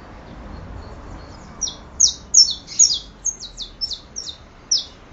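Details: Saffron finch delivering a quickening burst of high, piercing down-slurred notes after a quiet start, some notes doubled, ending with one last chip.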